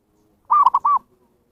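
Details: Perkutut, or zebra dove, calling to lure wild birds. One quick phrase of four soft, mid-pitched coos: a longer note, two short clipped notes, then a longer arched note, against a quiet background.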